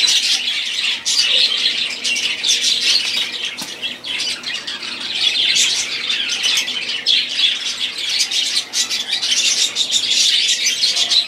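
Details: Group song of several budgerigars: overlapping chirruping warbles and harsh little squawks, rising into louder bursts now and then, with short clicky notes among the chatter.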